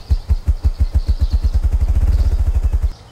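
Ruffed grouse drumming: deep, muffled thumps that start slow and speed up into a rapid low whir over about three seconds, then stop.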